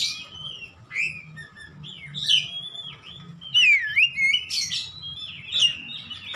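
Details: Ngeplong gacor song of an Oriental magpie-robin for training caged birds at home: a continuous flow of varied whistles and chirps, with a prominent loud swooping, looping phrase near the middle and a steady low hum.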